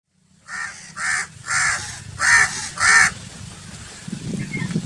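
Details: Crow giving five loud, harsh caws in a steady series about every half second, each call broad and raspy, followed by a stretch of low rumbling background noise.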